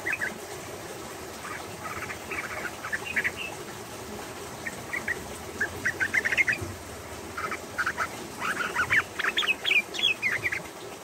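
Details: Female yellow-vented bulbul singing actively while crouching and pushing its tail. Short chattering bursts of varied notes come in scattered phrases and grow louder and denser toward the end, over a faint background hum.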